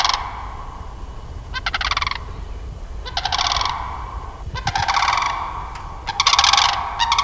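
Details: Two Sandhill Cranes, apparently a bonded pair, standing near a pair of Canada Geese in Sax-Zim Bog in early spring April; loud rolling, rattling bugles in bursts of about half a second to a second, repeated every one to two seconds over low wind rumble.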